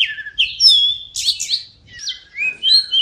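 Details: Short phrase of oriental magpie-robin song, aimed at prompting silent birds to sing: drawn-out descending whistles, a sweeping high note, a brief pause, then rising clear whistles.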